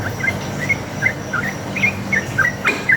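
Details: Yellow-vented bulbul's rapid 'ropel' song from a wild forest bird, recorded as a lure to draw answers from other bulbuls. Liquid two-part whistled phrases repeat steadily over a low hum.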